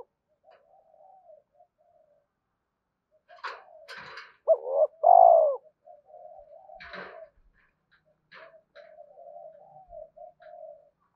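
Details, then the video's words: Spotted dove cooing for luring decoy birds: a single clear phrase of a short note and a long, mellow coo, surrounded by faint low murmuring notes and several sharp clicking or knocking noises. "Tiếng chim cu gáy kích bổi nhanh nổi và tập mồi hiệu quả"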